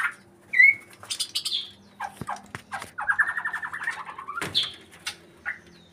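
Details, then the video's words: White-rumped shama in breeding condition: a loud whistled note, then a rapid steady trill lasting over a second, followed by scattered chirps, high whistles and clicks. "Ini tanda burung murai batu lagi birahi"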